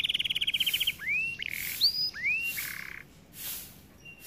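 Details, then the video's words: White canary singing a short fast trill, then rising whistled sweeps and a buzzy rattle, with bursts of hissing noise between phrases. "White Canary Bird Singing | Sound of nature | Canary song"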